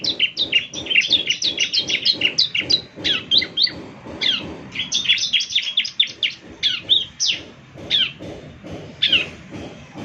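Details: Lively Bar-winged prinia song for morning playback to coax other prinias into answering: dense bursts of high, sharp chirps and quick downslurred notes, broken by brief pauses, continuing throughout.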